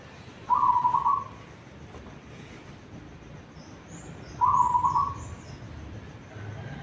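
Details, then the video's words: Local zebra dove from Tuban in pre-dawn song, two short bursts of fast, bubbling, trilled coos about four seconds apart, each under a second long, with faint high chirps from other birds in between. "perkutut lokal tuban alarm tahajjud Jan 3 sudah manggung"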